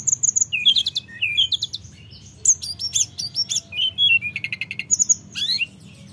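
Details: Mountain flowerpecker singing persistently, used as a lure to stir lazy flowerpeckers into song: rapid bursts of thin, very high chirps and sharp ticking notes, some falling or rising slurs, delivered in quick clusters with short pauses, no other sounds.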